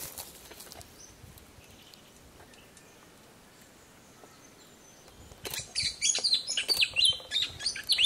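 An Eungella honeyeater bursts into loud, rapid, high chirping notes after a few quiet seconds, a busy jumble of sharp twittering with faint background ambience.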